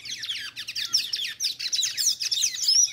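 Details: A pair of tanagers singing face to face, loud and close: a dense, continuous stream of rapid high twittering and squeaky chirps, the two voices overlapping without pause, with a faint low hum beneath.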